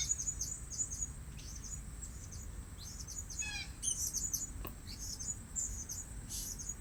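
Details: Calls of the blue-crowned hanging parrot, played or heard while luring birds at a fresh site. Rapid high twittering chirps come throughout, with one quick descending trill partway, all over a continuous shrill whine.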